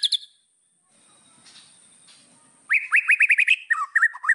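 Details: White-rumped shama song from a training recording meant to provoke rivals: a few high sharp notes, a faint pause, then a fast run of rising-falling whistled notes ending in lower warbled phrases.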